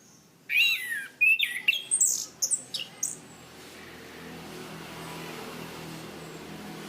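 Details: Chestnut-capped thrush, a Southeast Asian forest songbird kept as a cage bird, in a loud 'gacor ngeplong' training recording: a quick burst of high, sharp whistled and chirped notes over about two seconds, then quiet hiss.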